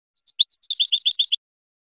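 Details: European goldfinch training song for teaching young birds: a quick run of high, clean chirps and twittering notes, speeding into a dense twitter before stopping abruptly.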